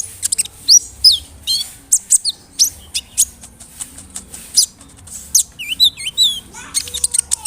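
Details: Brown-throated sunbird in full song, large-bodied and vocal, played to rouse other sunbirds: a varied run of high chirps, sweeping slurs and quick V-shaped whistles, densely packed with short gaps.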